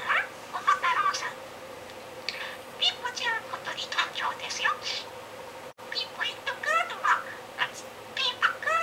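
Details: Pet budgerigar talking in its shop-clerk game, recorded 7 July 2016; near-continuous high, raspy mimicked speech in rapid phrases, the same sounding lines repeated, with a brief break partway through.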